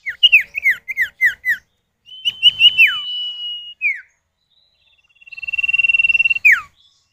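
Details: Common iora male and female calling back and forth, a lure recording meant to get other birds singing: a quick series of down-slurred whistled notes, then long sustained level whistles, each ending in a sharp falling note.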